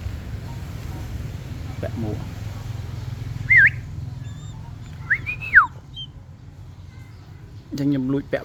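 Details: Young mountain hawk-eagle (Nisaetus nipalensis), a 31-day-old chick being trained to wear a hood and accept a glove while fed, gives two thin high whistles, a quick dip-and-rise, then a longer rising-and-falling slur, over low murmuring speech and a clatter.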